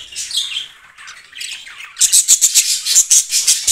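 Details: Yellow, blue and green budgerigar breeder pair singing: soft warbled murmurs at first, then a run of sharp rapid chirps repeated several times a second.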